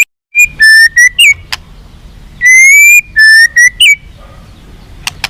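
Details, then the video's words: White-rumped shama song for stirring captive birds to respond and fight: long, pure, clear whistled notes, some level and some slightly rising, in short groups with pauses and a few sharp clicks. "SUARA BURUNG MURAI BATU FIGHTER"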